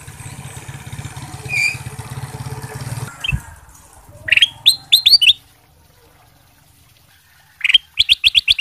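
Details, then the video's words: Ruby-throated bulbul masteran song, a training song for other birds: after about three seconds of rumbling engine noise, short bright clipped notes come in quick bursts of five or six, with a pause between the bursts. "suara masteran kutilang emas sutra gacor"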